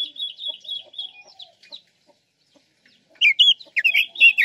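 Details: Chinese hwamei of the Guilin type used as a lure: soft warbled whistling fading to near silence, then a second of loud, quick, tumbling whistles.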